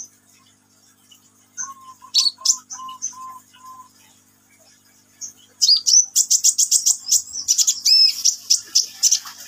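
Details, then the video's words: Sunbird in vigorous song. A lower whistled note repeats evenly about six times at first. Then comes a loud, dense run of very high, rapid stuttering trills and sharp chips. "KICAUAN BURUNG KOLIBRI NINJA GACOR"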